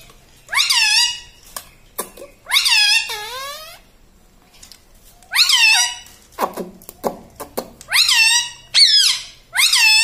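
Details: Home-kept talking parrot, taught words such as mummy, papa and radhe radhe; a run of six or so shrill, harmonic word-like syllables, each bending upward then down, with brief clicks between them.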